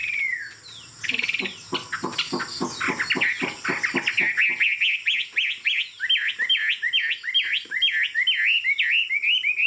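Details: Tame hwamei singing from a high perch: a rapid series of harsh clicking notes gives way to fast, repeated looping whistled phrases rising and falling in steady rhythm.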